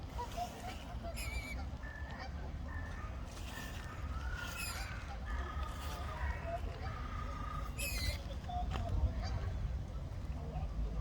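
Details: Common moorhen family with chicks on the water: several short, thin, high calls, some rising or falling, scattered across the recording over a constant low rumble of wind or water noise.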